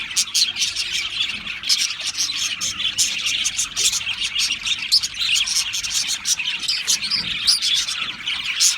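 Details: Constant high chatter of Australian parrots, many overlapping chirps, trills and tweets forming a dense, even chorus.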